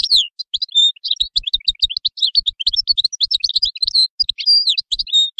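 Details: Goldfinch song, a continuous rapid twitter of high, sweet, liquid notes with quick upward and downward slurs, unbroken for over five seconds.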